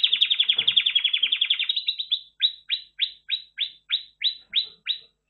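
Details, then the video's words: Red factor canary singing: a fast rattling trill of rapid notes for two seconds, then a slower series of clear downslurred whistles repeated about three per second. "Red Factor Canary Finch Singing Exhibition"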